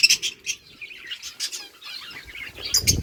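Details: Lovebirds eating boiled rice, giving sharp high chirps in short bursts near the start and end, with soft clicking and rustling from feeding in between.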